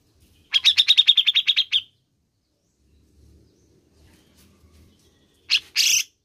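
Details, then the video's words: Grey-cheeked bulbul track used to stimulate a caged bird: a fast rattling string of about fourteen chirps over a second, faint low rumble, then two harsh rasping notes. "PUTAR SAJA JIKA INGIN CUCAK JENGGOT ANDA GACOR"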